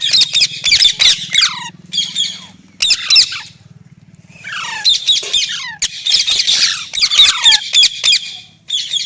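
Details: Green parrot calling with harsh, buzzy squawks in rapid bursts, some sharp downward-sweeping notes between them, with short quiet gaps and a faint low hum underneath.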